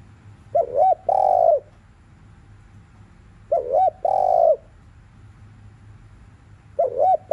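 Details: Spotted dove coos through the afternoon, thúc liu riu style: a looping, wavering double note then a long mellow coo, repeated roughly every three seconds. A quiet background hum runs throughout.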